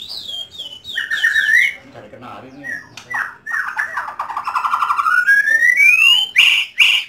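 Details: Home-kept white-rumped shama in rich varied song: high falling whistles, a run of quick looping notes, a long buzzy trill that rises into a smooth upward sweep, then sharp loud bursts.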